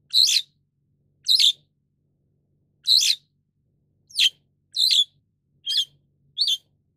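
White-shouldered Starling giving seven short, harsh, scratchy high calls at uneven intervals over about seven seconds, with a faint low hum behind.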